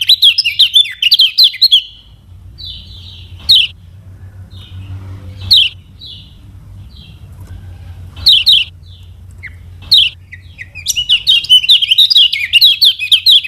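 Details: Kecial kuning from Lombok, the lemon-bellied white-eye, sung as a lure for teaching birds: fast twittering bursts at start and end, separated by spaced single whistles and sharp chips over a low hum.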